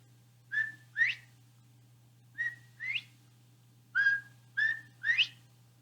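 Northern Bobwhite whistling three clear 'bob-white' calls about every one and a half seconds, each a flat note then a sharply rising one, over a steady low hum.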